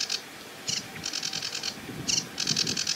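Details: Sedge Warbler by a reedbed on a marsh edge, treetop song: scratchy high chattering phrases in quick bursts with short gaps, plus a low background murmur.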